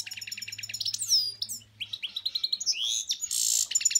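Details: Goldfinch and canary hybrid singing a fast varied song of sharp chirps, clicking trills and rising and falling whistled notes, with a buzzy burst near the end and a faint low hum underneath.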